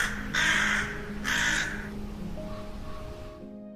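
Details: Rook (Corvus frugilegus), one of its most common calls in the UK: two harsh, raspy caws about a second apart, over a steady bed of soft background music.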